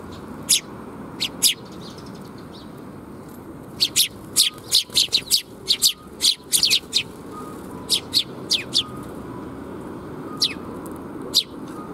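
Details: Sparrows coming to be fed at a bridge in Japan on 26 June 2021: bursts of sharp, high chirps, some in quick clusters, spread irregularly over a constant low hum and rumble.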